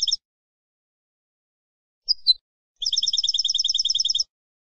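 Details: Wild-style campero European goldfinch singing a tutor song for captive birds: a few sharp high notes, a brief twisting call, then a long rapid, very even, high-pitched trill against clean silence.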